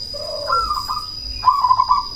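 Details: Cemani zebra dove calling as a lure to make opponents answer: a low soft note slides into a higher rolling coo, then after a short gap a fast, evenly pulsed trill, with a thin constant whine throughout.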